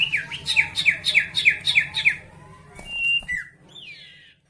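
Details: Sooty-headed bulbul lure song meant to get rival birds singing: a fast run of seven sharp, repeated downslurred chirps about three per second, then a few drawn-out whistled notes, with a faint low hum underneath.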